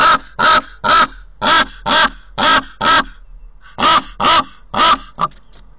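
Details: Raven calling at a nest in Corbera de Llobregat, Barcelona, filmed by a nest camera. Seven gravelly croaks, a short pause, then three more, ending in a few faint clipped notes.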